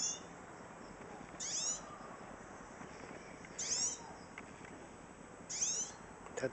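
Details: Female hooded siskin calling: three short, high, buzzy chirps with twittering downward-sliding notes, spaced about two seconds apart, over a steady background hiss.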